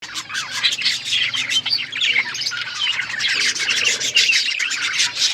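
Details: Pet budgerigars chirping in a dense, continuous chatter of overlapping high buzzy warbles and short tweets, steady throughout with no pauses.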